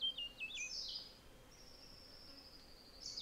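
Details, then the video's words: Rose-throated tanager giving quick high, thin chirps and slurred notes, then a long, faint, slightly falling whistle over quiet background hiss. "Rose throated Tanager"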